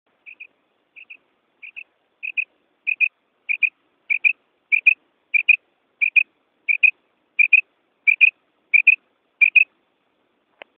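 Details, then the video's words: A female common quail gives soft, high double notes, 'wick-wick', about every two-thirds of a second, growing louder, in a recording used for quail hunting; the background is quiet apart from a final click. "female quail sound female krik female awaz batair"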